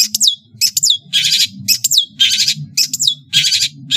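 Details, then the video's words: Long-tailed shrike of Madura, singing energetically. Paired thin downward whistles alternate with broad harsh buzzy phrases, about every half second, over a low murmur of background noise. "SUARA burung CENDET GACOR master full variasi | ASLI cendet MADURA GACOR DOR"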